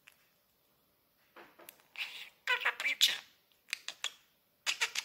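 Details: A male pet budgerigar that talks in Bosnian and English, saying things like "hello baby" and "sweetie", chatters in a high, raspy voice, running imitated words together in quick bursts.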